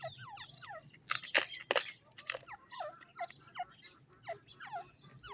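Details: Grey francolin (teetar) giving a repeated series of short, hooked, rising-and-falling notes roughly every half second, with some crunching, rustling noises early on.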